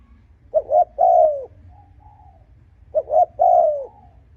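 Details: Spotted dove cooing to provoke and lure rival males: two short hollow notes, then a longer mellow coo that slides downward, given twice with a soft faint note in the gap between phrases; a quiet low hum underneath.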